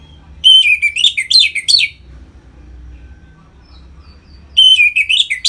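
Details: Orange-headed thrush in captivity, ngeplong song played to bring birds into breeding condition; a loud tumbling phrase of clear whistles and harsh twangy notes lasts over a second, then quiet hum before the phrase restarts.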